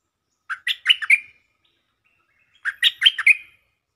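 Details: Two matching bubbly phrases, about two seconds apart, from a caged stripe-throated bulbul singing as a decoy. Each is five quick warbled notes with a whistled tail.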